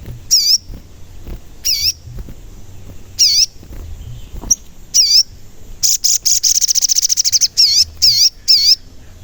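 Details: Sogon calling loudly, used as a lure for sogon: repeated dipping-then-rising whistled notes every second or so, broken by a rapid high trill of around twenty pulses, then more whistles in quick succession.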